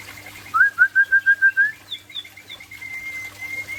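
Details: White-rumped shama of the Aceh type, singing in the late afternoon: a rapid series of about seven clear, evenly spaced whistled notes, then softer sustained whistles, with a constant low hum behind.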